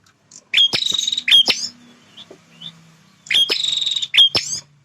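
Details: Male bar-winged prinia, a territorial fighter, sings two phrases about three seconds apart. Each phrase is a pair of buzzy rattles with hard clicks, and a low hum runs through the pause.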